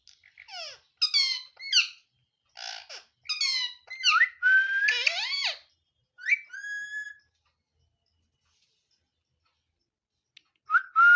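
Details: Pet parrot called mithu, a talking bird, making a string of short chattering squeaks and downward-sliding notes, a longer whistled tone, then near silence before one final whistle.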